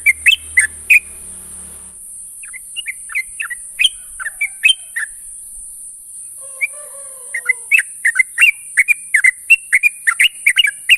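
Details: Morning calls of a sooty-headed bulbul summoning its companions, bright clipped chirps and slurred notes in irregular bursts, thinning mid-way then quickening into a steady run, over a constant shrill electronic-like whine and brief low rumble at the start.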